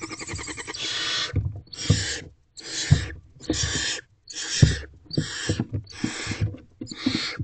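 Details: Barn owl owlets crowding their mother in a nest box at night, 28 April 2023, trying to get close to her. A steady run of seven rough, breathy hisses, roughly one every second, with thumping underneath.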